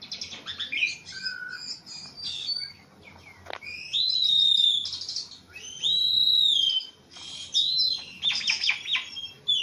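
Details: Javan pied starling, very tame and in full song, mixing chattering bursts with long clear whistles that rise and slide down, plus scratchy jumbled notes between them.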